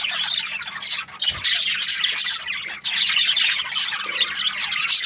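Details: Budgerigars keep up a loud, overlapping chatter of raspy squawks and chirps, broken by two short lulls, over a faint steady hum.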